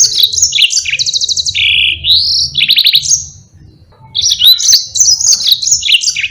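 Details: Yellow-fronted canary singing a long rolling song, played so other birds such as pleci learn it. Fast trills, buzzy rattles and rising slurred whistles flow together, stop for a short pause, then return as bright, high twittering.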